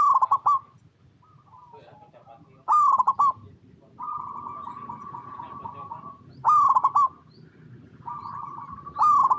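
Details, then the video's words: Zebra dove of local Indonesian stock, a chatty singer used to lure other doves into song: loud stuttering trilled coos, then long even purring coos between bursts, repeated about every three seconds, low rumble underneath. "Perkutut Lokal Gacor Suara Paling DiCari Untuk Pancingan Semua Burung Perkutut Agar Bunyi"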